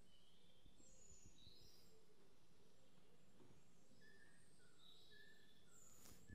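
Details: Eurasian pygmy owl, Europe's smallest owl, heard in a short film about meeting a pair of lynx: faint, evenly spaced plain whistled notes in a short series, with higher thin whistles from other birds and a steady background hiss.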